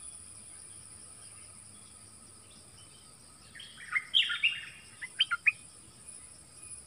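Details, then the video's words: Nok dok taeng dueling in double-song style with wild birds: short bursts of bright, warbled whistled notes around the fourth to fifth second, rising and falling quickly, over steady high insect-like hum and rural background. "เสียงนกดอกแตงEp.24 ดวลเพลงเบิ้ลกับนกป่า"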